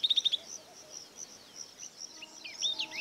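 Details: Yellow-eyed babbler calling: a rapid burst of four sharp, high, evenly spaced notes opens, followed by scattered faint chirps and a bright swooping note near the end, over steady high-pitched insect-like ticking.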